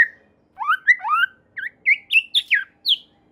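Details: White-rumped shama in full vigorous song, said to prompt other shamas to join in: a run of clear, rising and falling whistled notes that climb steadily higher through a short phrase.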